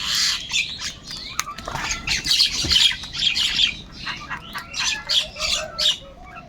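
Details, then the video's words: Several crows fighting for food make a rapid run of harsh, squawking caws, about two per second, rising and falling in loudness throughout. Softer chirps from other birds sound in the background. "Kaka sound and noises of Crow birds | different kauwa ki awaz - কাকের ডাক Crow Sound Loudly"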